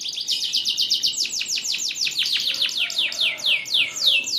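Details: Canary song, a fast rolling trill of high descending sweeps, each note sliding downward, delivered in rapid groups that speed up and slow down across the phrase.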